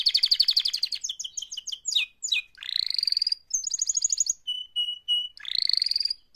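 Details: A canary in live mating-call song sings fast rolling trills and buzzy tours, shifting between high chattering runs and steady pure whistled notes with no pause.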